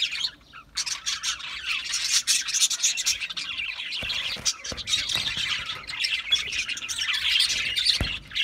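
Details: Several budgerigars chatter in a steady wash of high, raspy chirps and squeaks, broken by a few sharp clicks.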